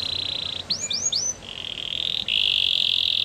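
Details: Singing canary with faint hiss behind: an even roll, three quick rising swoops, then long fast trills at mid-high pitch.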